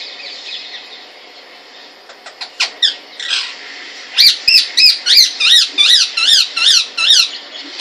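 Rose-ringed parakeet giving a rapid series of harsh, high screeching notes, about three per second, after a few scattered squeaks.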